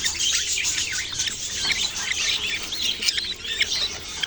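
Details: Chirping from baby budgerigars: quick warbling, up-and-down squeaky notes and thin tweets tumbling over one another in a busy continuous chatter.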